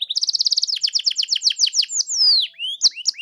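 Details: Canary song meant to trigger another canary's singing, with a fast series of repeated high notes slowing into sweeping chirps, a long descending whistle, then brief rising calls.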